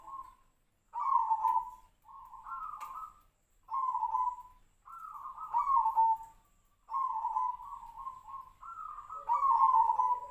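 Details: A zebra dove sings in the Tejoanom style, said to resemble sirtu-sirpo birds: a series of about eight wavering, low cooing notes in broken rhythm, some with a small upward step before falling.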